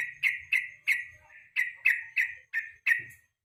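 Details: Yellow-vented bulbul in the evening, recorded as training material for contest songbirds. Loud, bright chirps repeat in a steady, slightly uneven series with short pauses, over light low background noise.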